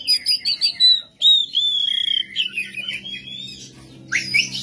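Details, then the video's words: Oriental magpie-robin, a kept songbird, delivering a rough 'kasar' style song: a run of quick repeated chips, then long clear whistled phrases sliding downward, ending in a harsh buzzy note. "KACER MATERI KASAR KASAR NGEBYAK GACOR"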